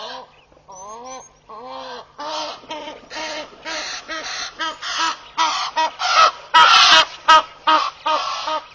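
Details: A vocal Egyptian goose pair displaying at Pete's Pond, Mashatu Game Reserve, Botswana, 11 July 2013. It opens with a few drawn-out, wavering calls, then builds into loud, harsh honks repeated roughly twice a second, louder toward the end.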